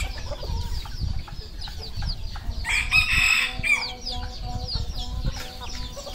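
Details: Red junglefowl kept on a farm in Cambodia; one rasping, drawn-out crow of about a second rises above steady clucking from many birds.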